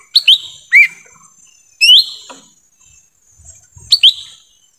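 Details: Forest recording of a lesser green leafbird, meant to attract wild birds: crisp slurred whistles, first a quick pair, then single rising notes, against an almost silent background.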